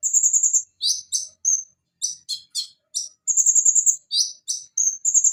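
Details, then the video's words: Van Hasselt's sunbird (konin) in a tutor recording for reviving a silent bird's song: high, even trills alternate with quick paired sharp chips, repeated about three times a second, with no other sounds. "Masteran Konin Macet agar Cepat bunyi Kembali"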